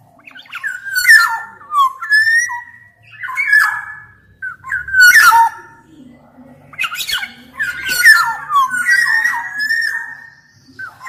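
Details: Black-naped oriole (kepodang emas) in vigorous full song, played to tutor and rouse quiet orioles: rich liquid whistled phrases, slurring up and down, come in repeated bursts every one to two seconds, with harsh rasping edges.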